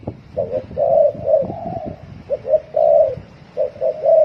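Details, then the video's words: Spotted dove cooing in the rapid thổ còi style, muffled and roomy: three phrases of short notes followed by a longer coo, blurred by low background rumble. "Tiếng chim cu gáy thổ còi tốc độ gáy cực nhanh"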